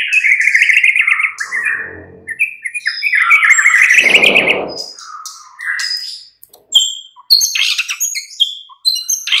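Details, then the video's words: White-rumped shama song played as a mid-morning lure so that other shamas answer. A long run of warbled whistles includes a rough, noisy rasp midway. It is followed by scattered high sharp notes and quick chattering phrases. "Pancingan murai batu PAGI DHUHA Agar NYAUT GACOR dan Ngeplong"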